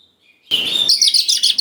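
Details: Oriental magpie-robin song meant to stir young wild birds into replying: a faint thin whistle, then a sudden loud sustained harsh note, then a string of sharp chattering high notes in quick succession.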